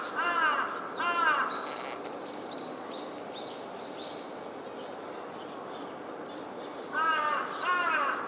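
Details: Rose-ringed parakeet in a prickly ash (karasuzanshō) tree: two harsh screeching calls open the recording, then quieter high thin whistles, and two more screeches near the end, all over steady background hiss.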